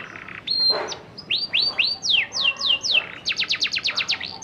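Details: Canary still learning to sing, used as ngerol lure for other canaries: a buzzy start, a drawn whistle, rising slurs, falling sweeps, then a quick rattling trill of high notes.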